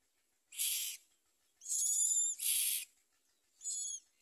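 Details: Common myna babies in the nest with their mother give four hoarse, wheezing bursts, some buzzy and strained in tone, in quick succession.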